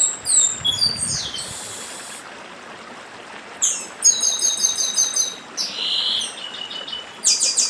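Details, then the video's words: A Northeastern papa-arroz delivers dedim song over a babbling stream: high descending whistles and a buzz, then rapid ringing trills and a final bright stuttered phrase. "Papa Arroz Dedim com Som de Riacho (Papa arroz do Nordeste)"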